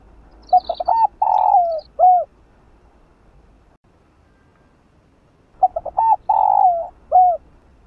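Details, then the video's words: Two cooing phrases of a spotted dove (cu gáy), about five seconds apart with silence between, each starting with rapid short notes, swelling into a long falling coo and ending in a brief coo; played to urge doves to coo. "Cu Gáy Kích Bổi"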